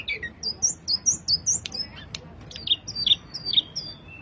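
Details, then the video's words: Sulingan singing sweetly: clear, high, whistled notes with short down-slurred tails, about two or three each second. A run of lower, richer phrases follows after a brief pause, with soft low background noise. "burung sulingan suara merdu"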